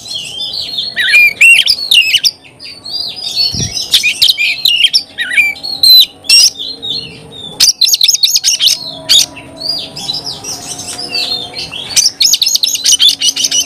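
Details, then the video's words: Oriental magpie-robin in long, rich song: warbled whistles, sharp upsweeps and rapid chattering series of repeated notes, nearly continuous with brief breaks. "Kacer gacor"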